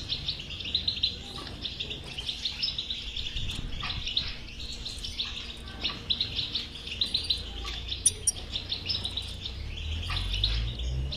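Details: European goldfinch performing batbata chatter, aimed at making a silent goldfinch sing: long run of rapid liquid twittering in waves, with occasional very high tinkling notes and a faint hum beneath.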